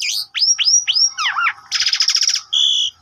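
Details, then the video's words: Indonesian Asian pied starling song played to prompt other birds to sing: repeated upslurred whistles, a tumbling falling phrase, a rapid harsh rattle and a held nasal note. "Pancingan Jalak Suren Ampuh Pagi Siang Malam Full Gacor"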